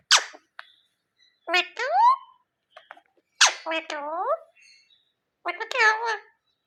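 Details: Talking parrot saying the Urdu greeting Assalamoalaikum: three bursts of loud, voice-like syllables with stacked harmonics and swooping, gliding tones, separated by short silences, recorded indoors.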